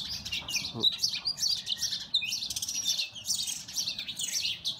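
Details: Oriental magpie-robins in a fight, on a mobile phone recording: dense, excited high chattering of squeaks, quick slurred whistles and rasping notes, rising and falling in loud bursts without break.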